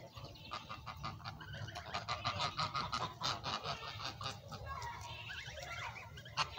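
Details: Domestic geese at a goose farm, a noisy flock honking in a rapid, irregular chorus of harsh nasal calls, many voices overlapping, with low rumbling background noise.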